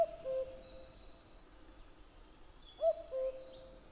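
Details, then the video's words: A common cuckoo repeats its song, a clear two-note cu-coo stepping down in pitch, twice with a pause of nearly three seconds, with faint high bird notes behind. "Kuckuck | cuckoo | cuculus canorus | Gesang"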